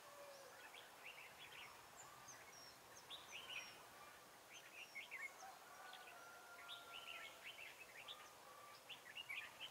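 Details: Trapping of red-whiskered bulbuls in Hoa Binh on a cold 10 December 2017, with the birds still aggressive. Quiet bursts of short warbled and whistled phrases repeat every second or so against a constant hiss of open-air background noise.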